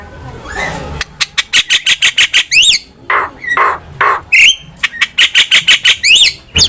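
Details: Javan myna in vigorous song, recorded as a master for cage-bird training: quick repeated chip series, rough squawks and short rising whistles alternating in lively bursts.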